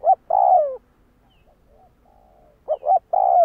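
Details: Spotted dove trained as a decoy: a short note and long falling coo, a pause with faint softer coos, then two quick notes and another long coo.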